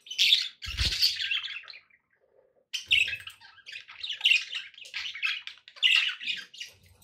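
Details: Pet budgerigars in busy, raspy chatter: dense warbling and scratchy squawks run almost continuously, broken by one short silent gap, with a low thump near the start.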